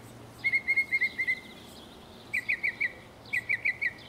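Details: Texas mockingbird song: a run of six quick, even notes, a pause, then two groups of four crisp, slightly rising notes, each group a repeat of the same phrase.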